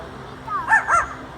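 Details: A little green parrot performing in a parrot show at African Lion Safari, trained in animal noises, mimics a dog's bark with two short, hoarse, rising-and-falling yaps.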